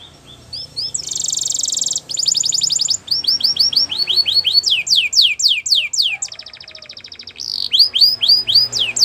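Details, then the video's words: Singing Belgian canary in a training song, moving from a loud buzzy trill through fast rattles and repeated rising-falling whistled sweeps to a steady mechanical roll and more bright slurred whistles. "Canary Training Song Video | Belgian Canary Singing"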